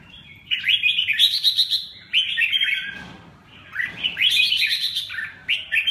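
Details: Lively Red-whiskered bulbul song: three loud bursts of rapid bubbly whistled notes about two seconds apart, each climbing then falling, with soft rustles in the gaps.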